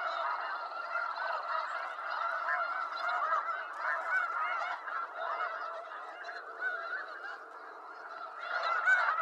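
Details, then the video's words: Wild snow geese in Eastern North America, a flock giving dense, overlapping nasal honks that run on without pause, with loudness swelling and dipping through the chorus. "Snow Goose Sounds"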